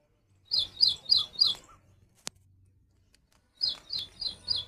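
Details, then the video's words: Repeated high, sharp chirps from a little woodstar, four in a row, a lone sharp click during the pause, then four more chirps at the same brisk pace. "Little Woodstar Bird Chirping Sound"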